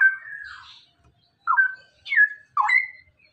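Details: Straw-headed Bulbul, a caged DNA-sexed male, with a short part of its ropel song used for training: a held whistle, then three separate loud liquid notes, each dipping and levelling.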